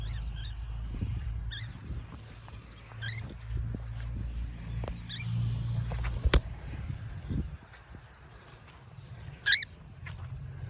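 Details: Cockatiel in free flight outdoors giving short, sharp harmonic chirps spaced a few seconds apart, about four in all, over a steady low rumble of background noise.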